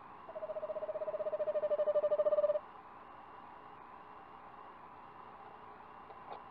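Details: An Eastern Screech Owl named Olivia at a nest box in Jollyville, recorded 29 March 2019 from a livestream, gives a steady, low trill of rapid pulses on one pitch, swelling slightly over about two seconds, over a faint hum.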